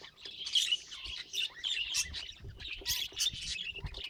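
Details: Budgerigar kept as a pet chattering with scratchy warbles and bright chirps in irregular bursts, while soft low thumps and handling noises sound in the background.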